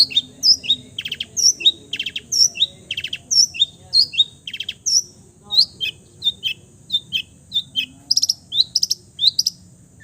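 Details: Long-tailed shrike imitating other birds' songs. Fast series of short high notes, some sharply down-slurred, mixed with rattling stutters and a few buzzy bursts, about one phrase per second.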